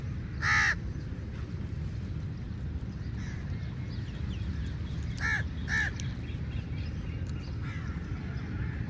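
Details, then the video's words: Crow calling for food, three harsh harmonic caws: one loud caw near the start, then a quick pair about half a second apart after a long gap. Steady low rumbling background noise runs throughout. "Crow Calling Sound For Food"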